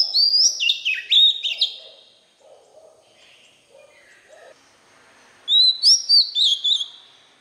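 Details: White-rumped shama song for young birds to learn: a jumble of loud whistles and harsher notes, faint lower chirps in between, then a fresh run of five or six clear rising whistles.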